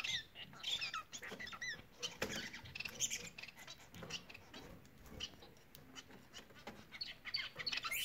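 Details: Song of Bengalese finches, opening with a run of squeaky, sliding notes over the first two seconds, then fainter chirps mixed with steady rustling and tapping.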